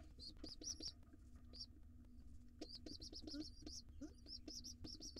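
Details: A wild pigeon nestling at a nest box comes late to breakfast with its father, giving bursts of shrill, high peeps in quick runs, separated by a brief pause, over light knocking and shuffling sounds.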